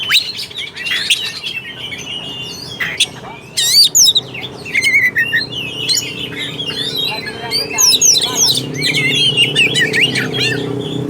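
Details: Kacer, the Oriental magpie-robin, singing to rouse a lazy bird: scattered whistled and scratchy phrases with sharp high notes, over a steady low droning background that grows louder toward the end.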